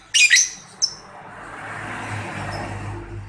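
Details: Lure sound of a young lovebird for drawing replies from other lovebirds: a harsh, piercing double screech and a short third note, followed by a soft rushing background hiss.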